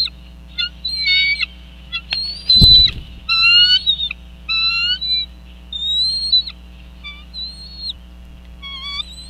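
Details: Bald eagles at their nest in Northeast Florida as the male brings in a fish: a series of short, high, piping chirps and squeals repeated every second or so, one loud thump partway through, steady low hum beneath.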